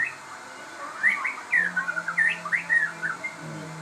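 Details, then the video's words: Crossbred shama, described as very vocal, pouring out a rapid run of bright whistled and trilled notes, slurring up and down in quick succession, with a low steady hum beneath. "burung murai gacor hasil kawin silang"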